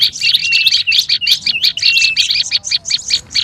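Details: Olive-backed tailorbird in restless, noisy calling meant as a lure: tight clusters of high chips and short whistles, easing into more spaced single notes near the end.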